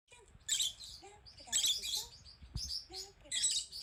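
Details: Female rosy-faced lovebird, a pet, panicking at seeing herself on screen: loud, harsh, buzzy screeching chirps in four bursts about a second apart, with thin whistled tones lower down between them.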